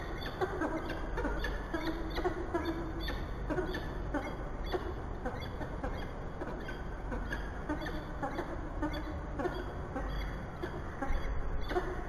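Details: Peregrine falcons at a church nest box in Bath, 15 August 2018, after driving feral pigeons away; a rapid, continuous run of harsh harmonic notes, several per second, over a constant low background rumble.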